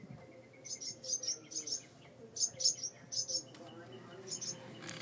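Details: Birds scolding near their porch-light mud nest holding two chicks after the door opens: runs of rapid high chirps in the first half, then sparser calls and a sharp click or knock.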